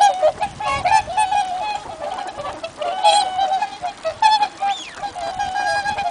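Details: A flock of swans calling together at Abukuma Shinsui Park, Japan: loud, nasal, trumpeting honks that overlap continuously, with some higher, rising notes mixed in.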